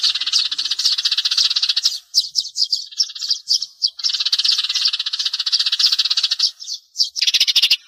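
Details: Lure recording of sparrows for glue trapping: a steady run of rapid chirps with a brief gap near the two-second mark, then chatter resumes. A harsh rattling burst closes the recording.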